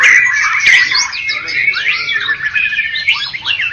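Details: Champion murai batu (white-rumped shama) from Medan and Java: a steady high whistle that breaks into overlapping slurred, rising and falling phrases delivered without pause.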